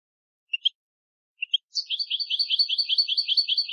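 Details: Goldfinch song meant as a tutor recording for young birds: a pair of brief high chirps twice, followed by a rapid rolling twitter of repeated tinkling notes running to the end, clear and without background noise.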